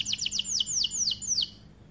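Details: White AF canary singing a series of about eight sharp, clear, downslurred whistled notes, evenly spaced, then falling quiet.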